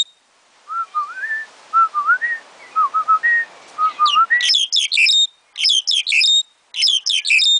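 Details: A black-collared starling (Sturnus nigricollis) at a park in Kallenkote, Netherlands, sings a string of short, mellow whistles, some rising, then three loud bursts of harsh, high, scratchy chatter.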